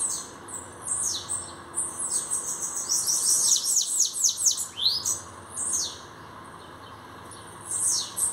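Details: High-pitched bananaquit song from a newly arrived bird: scattered sibilant sweeps build into a dense rushing burst of fast descending notes, followed by quieter gaps and a final short phrase.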